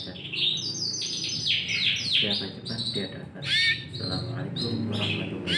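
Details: Yorkshire canaries, four caged Romeo FOI birds in Indonesia, 20 December 2020, give rapid chirping trills and rising whistled notes over a noisy background with low murmuring.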